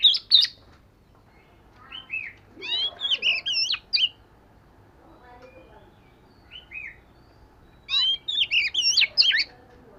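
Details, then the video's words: Oriental magpie-robin singing in daily voice practice: loud, varied whistled phrases with rapid rising and falling notes, delivered in bursts at the start, around three to four seconds and near the end, separated by quiet pauses. "Chòe Than Vẩy Cá Hót Giọng Siêu Hay-Luyện Giọng Chòe Than Hót Hay Mỗi Ngày-Suara Burung Kacer Gacor"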